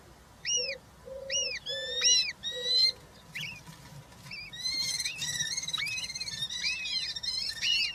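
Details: European roller chicks, three in the nest, 20 June 2023, one fed a giant grasshopper; a few arched whistles over low humming tones build into a dense, continuous chatter of overlapping wavering calls.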